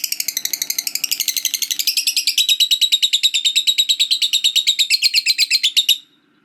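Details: Lovebird ngekek panjang, the prized long chattering trill: about six seconds of rapid, evenly pulsed shrill notes that sink slightly in pitch midway and stop abruptly, with a faint low hum behind.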